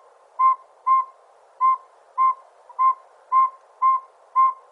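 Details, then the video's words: Northern saw-whet owl giving a steady series of short, mellow whistled toots, about two per second, on one even pitch, with little else heard. "Northern Saw-Whet Owl Sound"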